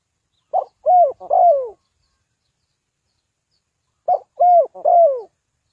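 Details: Spotted dove in Ninh Thuận, recorded for use in bird trapping: a three-part coo, brief first note and two longer falling notes, given twice about three seconds apart against a silent background.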